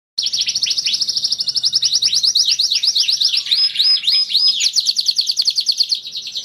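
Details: Canary singing a master song meant to set other canaries singing: a loud, continuous, high rolling trill of rapidly repeated notes, broken midway by a few short, clear whistled notes before the fast trilling resumes.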